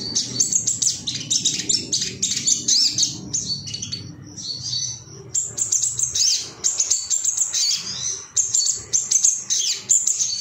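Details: Male ruby-cheeked sunbird, worked up and calling for rivals, delivering bursts of rapid, thin, high-pitched chittering separated by short gaps, energetic and repeated throughout.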